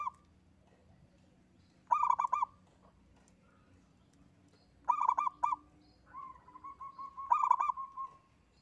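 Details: Local zebra dove singing alone. Three pulsed, trilling coo phrases about three seconds apart. A long wavering whistle-like sound overlaps the last phrase, and a low background hum runs throughout.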